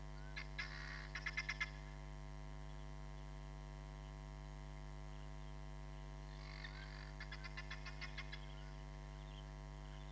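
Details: A hamerkop calls at Nkorho Bush Lodge on 31 July 2021, caught by a live camera: two quick trains of about eight clipped, evenly spaced notes, separated by a long pause, with constant low hum beneath.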